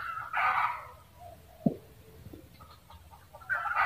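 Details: Red junglefowl cackle: a harsh burst opens, then a sharp click and soft clucks follow before another loud rasping note rises at the end.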